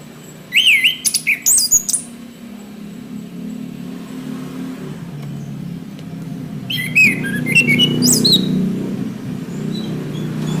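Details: Orange-headed thrush song used for training caged birds: two short bursts of bright, varied whistled and warbled phrases, rising and falling quickly, separated by a long gap filled with steady low engine-like rumble.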